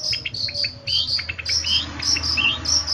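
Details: High, sharp whistled notes from a long-tailed shrike, in a recording used to train birds to sing, repeated rapidly with brief lower chirps slipped between, over a faint hum.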